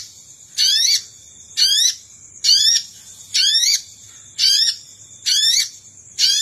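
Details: Lure call of the Sogon, used to draw in wild birds: short raspy bursts of climbing, layered notes repeated about once a second at an even pace, with a faint constant high tone between bursts.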